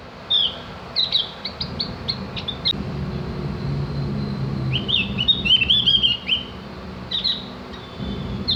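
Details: Javan grey-throated white-eye singing for cage-bird training: an opening string of crisp, high chip notes, a quieter gap, then a dense burst of fluid, twittering whistles and a final short phrase, over a low droning background.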